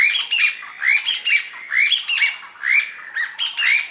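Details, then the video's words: Chinese bamboo partridge (Bambusicola thoracica) giving loud, shrill, harsh notes in quick bursts about once a second, each with a rising squawky sweep; no other sounds stand out. "Chinese bamboo partriges vs wild ducks竹雞叫"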